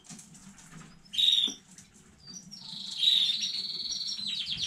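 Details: Newly home-bred canary, recorded 15 May 2019, gives a brief loud buzzy burst, a pause, then a sustained high rolling trill that runs into rapid repeated notes.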